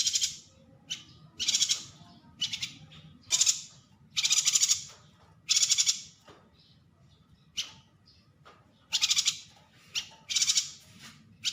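A yuhina gives harsh, buzzy, high-pitched bursts, each under a second, repeated in irregular runs about a dozen times, over a faint low hum.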